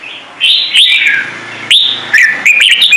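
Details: Red-whiskered bulbul singing "Trung Mang" style, a rapid run of loud whistled and warbled notes, bright slurred phrases following one another closely.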